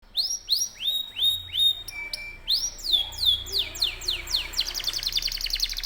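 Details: Canary (kenari) giving a long continuous rolling song (ngerol): rapid series of high, downward-sweeping whistled notes, a steady flat tone, then fast buzzy trills, about three notes per second, with faint low background hum.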